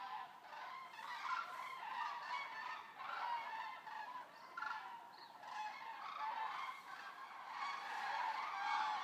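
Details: Eurasian common cranes in a flock of roughly 200, resting at the stork centre of Racconigi, Italy. Loud, steady chorus of overlapping trumpeting calls throughout, with no pauses.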